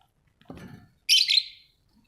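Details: A pet budgerigar at home gives one short, bright, buzzy chirp that fades out, preceded by a soft low rustle.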